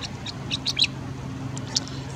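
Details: Striated grassbird at Bhusawal, Maharashtra, in March 2022 gives a few brief, high chirps in a quick cluster, then one more note a second later, over a steady low hum.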